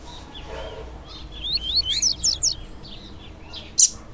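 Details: Female double-collared seedeater call used to stir up males: a quick series of thin, high, rising chirps in a rapid run, followed after a pause by one sharp loud tick, with low background noise.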